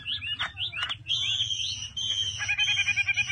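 A Chinese hwamei sings loud, rich whistled phrases, sliding and varied, that end in a rapid rolling trill, over a low background hum.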